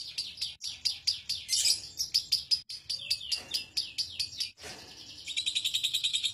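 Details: Lovebird ngekek singing, the long trill prized for song contests: rapid high chattering notes in bursts of roughly ten per second, broken by short gaps, ending in a tighter, more even run of pulses.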